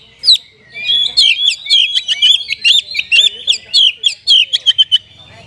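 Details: Caged Oriental magpie-robin in full song with rich imitated phrases, played to stir sluggish birds into singing: a rapid run of sharp, varied whistles and chirps that rise and fall, then slur into a steady twittering stream.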